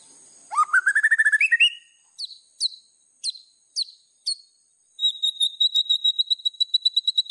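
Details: White-rumped shama master song for training: a rising stuttered whistle climbing in pitch, then spaced single downslurred notes, ending in a fast even run of thin high ticks.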